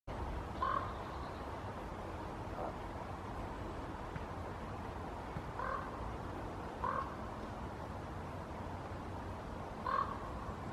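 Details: Two common ravens in Helsinki, Finland, in September 2021, one flying toward a tree where the other perches: four short, low, hoarse croaks at uneven intervals over about ten seconds, against a steady background rumble.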